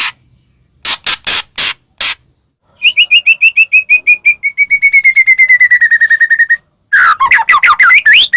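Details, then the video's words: Lure recording of a white-rumped shama in full song, meant to provoke rival shamas: five loud harsh rasps, then a long fast trill of pure notes gradually sliding lower, ending in squeaky rising slurred whistles. "murai batu gacor AMPUH buat PANCINGAN murai batu agar bunyi JADIKAN burung murai gacor EMOSI"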